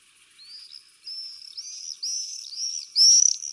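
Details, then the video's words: Common swifts breeding in a roof vent of a house, recorded from a window in summer 2024, give thin, shrill screams, several in quick succession over three seconds, growing louder as birds sweep closer. "Falciots negres (Vencejo común - Common Swift)"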